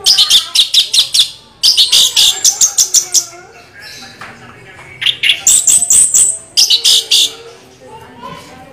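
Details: Orange-headed thrush pouring out a continuous rolling 'ngeroll' song: fast bursts of sharp, high, repeated notes in rattling runs, with a brief quieter pause midway before the rapid series resumes.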